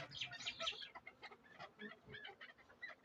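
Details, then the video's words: Tethered Darvoz chukar partridge kept as a hunting decoy in Tojikobod district, Tajikistan; several loud harsh chattering notes at first, then quieter clucking chuck notes repeated irregularly. "Кабки побанди"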